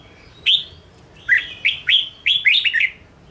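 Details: Red-whiskered bulbul, kept in a cage, singing to provoke and train other birds: one whistled note, then a run of five bright, falling notes in close succession.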